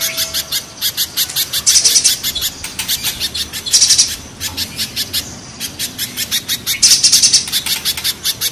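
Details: Mountain and banana spiderhunters calling in a harsh style. Steady streams of sharp, very high ticks are broken by three louder, buzzy clusters and a brief gap before the chips resume.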